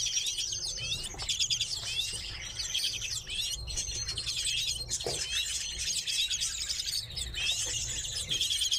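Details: A group of kept redpolls chatters steadily, with fast trilled phrases and sharp chips overlapping in a busy high-pitched chorus.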